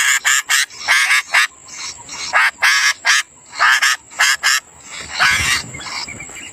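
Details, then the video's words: Sooty-headed bulbul nestlings being fed by a parent give insistent harsh, buzzy, broadband squawks in rapid pairs and triplets, about fifteen in six seconds, the last ones longer and rougher, over a constant thin high hum. "induk burung kutilang memberi makan anaknya"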